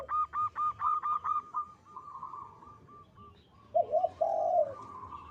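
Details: Zebra dove of a local type singing with a strong, long, melodious voice: about eight quick staccato notes fade into a soft run, then a deep rolling coo finishes the phrase.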